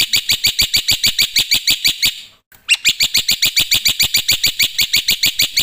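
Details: Black-winged myna singing loudly in a long fast train of bright ringing ticks, about three a second, with one brief pause and a short squeak midway.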